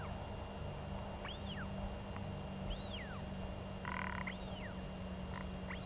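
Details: Northern royal albatross chick vocally begging its mother for food on her return, 23 May 2021. Three arched, whistled notes that rise and fall, plus a short broadband rasping burst, over steady low background hum.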